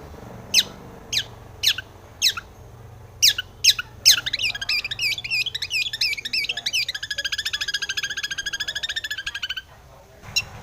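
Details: Long-tailed shrike song used as a lure to agitate other shrikes: several sharp descending whistled sweeps about half a second apart, then a long fast rattling trill before a short pause and one final note.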